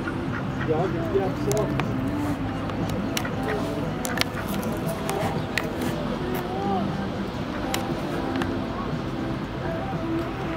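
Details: A flock of mallards at Lake Bled, Slovenia, on 14 January 2023 keeps up a dense, overlapping chatter of quacks and soft nasal calls, with murmuring voices and scattered clicks and knocks behind.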